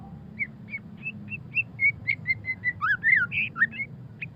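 White-rumped shama song: a rapid run of short, clear whistled notes, about four per second, ending in richer warbled phrases; low background hum.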